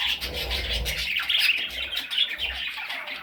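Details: Parrot chicks uttering a brief, continuous scratchy chatter of overlapping harsh notes, with soft rubbing and low rumbling in the background.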